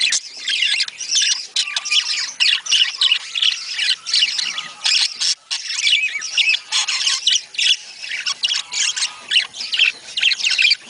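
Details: Budgerigars calling to encourage mating: steady, dense high chatter of squeaky squawks and fluttering warbles, bursts coming close together with only short gaps.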